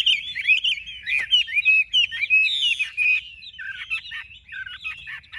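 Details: Chinese hwamei of large build, kept caged, singing a continuous warbling stream of slurred whistles and twisting phrases that grow softer and more broken toward the end.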